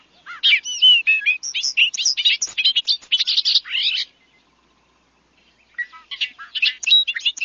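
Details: Bobolink song, mentioned with a grass seed meadow and described as robot-like and unbirdlike: a bubbling, tumbling run of quick metallic notes lasting about three and a half seconds, then a pause and a fresh start.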